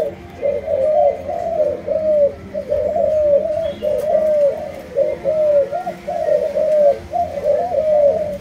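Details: Low, gently wavering coos from a kept spotted dove of Malaysian type, delivered in linked groups of two or three notes repeated across the whole stretch.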